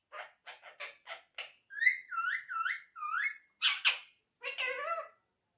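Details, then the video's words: Monk parakeet, a talking quaker parrot, speaks in quick choppy syllables, then a chain of looping whistled speech-like tones, a loud harsh burst and a final wavering phrase. "quaker Talking parrot || speaking so lovely"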